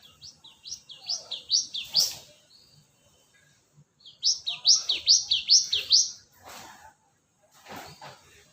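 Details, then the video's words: ['Cinereous tit sound used for luring: two fast series of high, ringing two-note phrases, each series lasting about two seconds, separated by a pause, with several dull knocks and clicks nearby.'] "Pancingan Suara pikat Burung gelatik batu"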